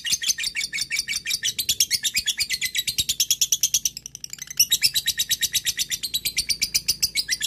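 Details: Lovebird giving long ngekek chatter to call a rival, used as a lure: dense, rapid shrill chirping with a short pause partway, then resuming at full speed.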